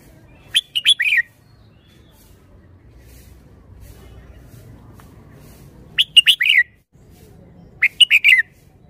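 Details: Red-whiskered bulbul song praised for its fine phrasing and style: three short bursts of bright, warbled notes with quick up-and-down slurs, separated by long quiet gaps over a low background hum.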